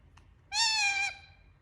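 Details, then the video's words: Talking parrot giving a single drawn-out, harmonic, meow-like note lasting about half a second, steady in pitch and then dropping slightly at the end, after a faint click, in a quiet indoor setting. "Talking Parrot Making Sound"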